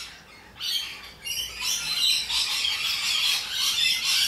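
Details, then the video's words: Wild Australian rainbow lorikeets starting from near quiet with a few sharp shrieks, then building into a loud, continuous mass of harsh, high chattering squawks from several birds. "Loud and Obnoxious Parrots - Rainbow Lorikeets"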